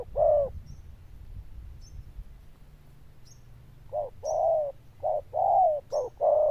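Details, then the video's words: Zebra dove with a loud, bell-like voice and good cooing: one coo, a silent stretch, then a quick run of short and long rolling notes, with faint high ticks above. "Đồng Chuông Lớn Tiếng, Nước Gù khá Tốt"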